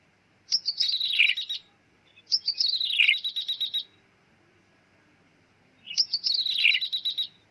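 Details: Bar-winged prinia lure call for trapping in the 'meong' style. Three phrases, each a falling slurred note followed by a fast buzzy trill. The first two come close together, then a longer silence before the third.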